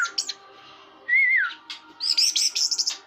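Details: Orange-headed thrush in a classic "teler" singing style: a clear wavering whistle that slides downward, followed by a burst of high, scratchy chattering notes.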